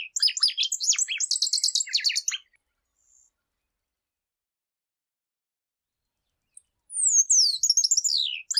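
Shiny cowbird singing two bursts of liquid, gurgling notes followed by a thin, high descending whistle, with a silent pause between them.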